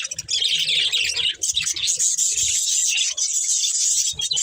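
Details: A budgerigar breeding pair and family give steady high, scratchy warbling chatter, many rapid chirps overlapping almost without a break.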